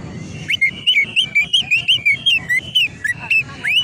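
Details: Greater green leafbird (cucak ijo) master song for tutoring, meant to set off the jantrok singing style: a run of clear whistled notes, each slurring up or down, about three per second, over a faint low hum.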